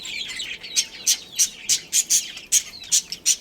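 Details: Budgerigars, described as a breeding pair, chirp in short bright bursts, nine or ten sharp high chirps spaced roughly every third of a second over a soft continuous chatter.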